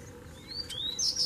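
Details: Double-collared seedeater males dueling, three arriving at once; two quick rising whistles followed by the start of a bright, buzzy high twitter, over a low hum.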